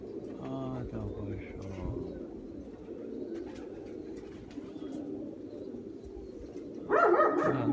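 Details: Domestic pigeons (Columba livia domestica), described as sleepy and weak, snoring while asleep: a low, steady droning hum throughout, with a man talking at the start and near the end.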